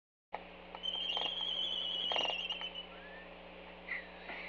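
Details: Laysan albatross courtship dance between a banded bird and an unbanded adult at a nest site on Kauai's North Shore: a long, thin, slightly rising whistled note of about two seconds, broken by sharp bill-clapping clatters, over a steady low hum.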